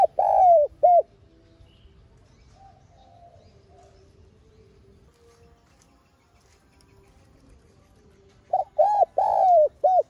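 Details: Lure spotted dove giving its full calling and urging coo, used to stir other doves into song: one cooing phrase opens the recording and another closes it, each made of short arched coos around a long falling coo, with quiet between.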